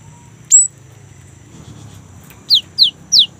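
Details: Young great tit singing energetically as a lure to set kept great tits singing: one sharp note sweeping up high, a pause, then three quick downslurred whistles, faint low hum beneath.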